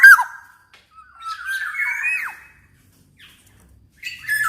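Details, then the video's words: Black-naped oriole song for training and stimulating other orioles: a harsh opening note, then a drawn-out fluty whistle that wavers and drops sharply at the end, silence, and a final nasal call. "KEPODANG EMAS GACOR || SUARA BURUNG KEPODANG COCOK BUAT MASTERAN DAN PANCINGAN KEPODANG AGAR BUNYI"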